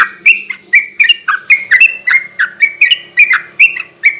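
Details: Energetic 'garuda ropel' song of a sooty-headed bulbul, used as a night lure and training song: bright, liquid, down-slurred notes repeated in quick succession, some in paired bursts.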